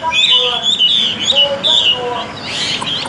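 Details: Tame caged Chinese hwamei giving rapid, bright whistled notes and warbled slurs in fast, uneven sequence, with faint lower murmuring beneath the song.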